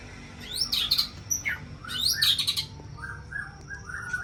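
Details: White-rumped shama, Aceh variety, from champion breeding stock: two bursts of sharp, high sweeping notes and quick trills, then a softer string of short repeated whistles.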